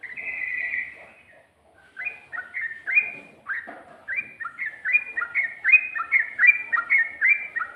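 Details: Sooty-headed bulbul, ropel-style song with ngikluk and garuda phrasing: a drawn-out buzzy note, a brief pause, then a quickening sequence of short, bouncy, down-slurred notes.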